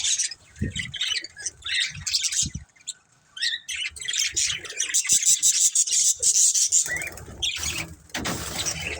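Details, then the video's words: A budgie family of pet budgerigars chattering in irregular bursts of high chirps, warbles and sharp squeaks, with a brief lull early on and occasional low knocks beneath. "Cute Budgies Chirping Sounds"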